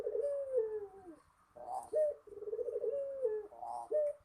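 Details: Spotted dove giving its melodious song: long, low, vibrating coos that fall away at the close. A short accented note opens each next phrase, and the phrases come in steady succession.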